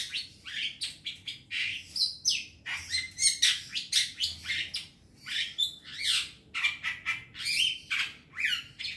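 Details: Young wild long-tailed shrike singing a lively, varied song of short chirps, harsh notes and quick whistled phrases in rapid bursts, with brief pauses between them.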